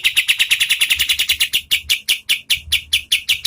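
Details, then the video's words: Oriental white-eye in lively, medium-speed song used as tutor audio for competition birds: sharp, high buzzy notes repeated rapidly, about two to three each second, gradually spacing out. "KAPAS TEMBAK GACOR SPEED SEDANG Bagus sekali buat MASTERAN BURUNG LOMBA"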